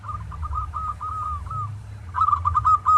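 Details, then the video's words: Zebra dove of a local strain singing as training material: a long even trill of soft cooing notes, a short pause, then a louder accented phrase of rhythmic coos, low rumble beneath. "Masteran Tarik Perkutut lokal agar GACOR-Ampuh.!!!!"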